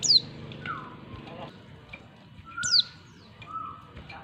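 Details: Female Oriental white-eye calling for a male: two brief, high, downward-sweeping chirps about two and a half seconds apart, with a low murmur in the background.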